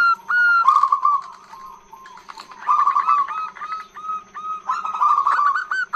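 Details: Female zebra dove calling to lure males: a long, rich series of whistled, downslurred cooing notes, some broken into fast rolling trills, repeated in bursts with short pauses; a steady faint background hum.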